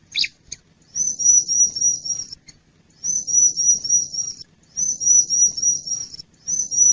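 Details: Bar-winged prinia lure call for attracting wild birds: long runs of thin, very high trilled chatter lasting about a second and a half each, separated by brief silences.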